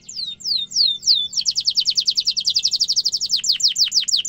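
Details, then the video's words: Sharp rolling canary song for young birds to imitate: three descending whistled slurs, then a loud rapid buzzing trill of evenly repeated high notes, ending in deeper downward chirps. "Kenari gacor ngerol tajam suara kesukaan kenari muda gampang ditiru efektif untuk masteran kenari"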